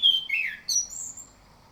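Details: Orange-headed thrush song played as a morning lure to coax other birds into singing: a clear high whistle, a downward-slurred note, then two thin, very high whistled notes in under two seconds.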